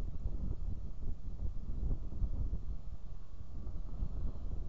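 Steady low rumble of wind and distant vehicle or aircraft noise outdoors in the countryside, with no animal calls.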